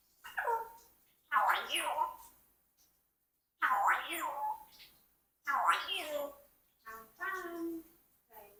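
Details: A 4-year-old Congo African grey parrot talks indoors in short speech-like phrases, about five bursts with pauses between, rising and falling like a human voice.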